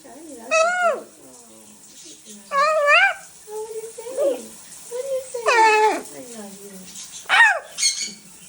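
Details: Pet macaw kept at home, described as chatty and talking; a series of short, harmonic, speech-like phrases with rising and falling bends, separated by brief pauses, while a woman talks to the bird.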